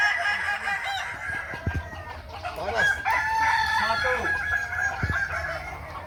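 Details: Kukuak Balenggek chickens crowing at a contest practice, Ampang Kualo, Kota Solok, May 2024; overlapping, stepped crows with a brighter, steadier note near the middle, plus scattered clucks and a low background hum.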